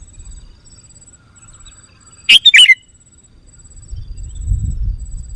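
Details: Lure call of the sooty-headed bulbul for attracting wild birds: a single quick cluster of three sharp, bubbly chirps in a quiet setting, with soft low rumble before and after.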